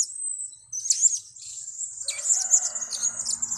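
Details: Blue-crowned hanging parrot lure recording used to attract birds for trapping: very high, thin, shrill chirps over a steady high-pitched ringing tone, bursts coming irregularly, with a faint lower rustling in the second half.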